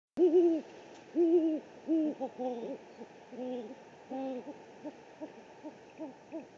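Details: Great horned owl at the Presidio, San Francisco, picked up by a live camera on 3 March 2019: a run of short, arched, hollow hoots, some overlapping in quick clusters, then softer, spaced notes over a faint steady hum.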